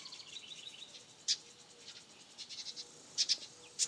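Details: A faint, high twittering series from house wren babies, followed by a few loud, sharp chirps that come singly and in a quick pair.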